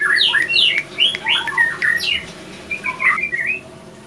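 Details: Male and female white-rumped shama fighting after an unsuccessful pairing; quick bursts of sharp whistled slurs and chirps, rapid at first, then a short gap before a few thinner whistles.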